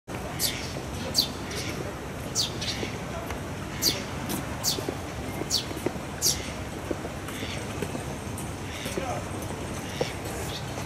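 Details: Eurasian tree sparrow (Passer montanus) chick in Tokyo, May 2016, begging from its parent for food and climbing onto the parent's back for more after being fed: short, high chirps about every second, fading toward the end, over a steady low rumble.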